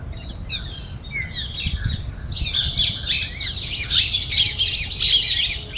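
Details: Loud chirping of parrots feeding together on grains in a Bangalore park as a squirrel tries to join them; sparse calls at first swell into a dense, continuous wash of harsh overlapping squawks.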